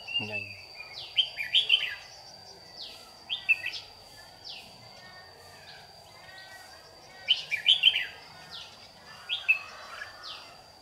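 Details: Red-whiskered bulbul of the white-cheeked, yellow-lipped type used as a trap decoy in Vietnam, July 2019. High sweeping whistled phrases come in short bursts every couple of seconds, with a man talking and a steady high whine in the background.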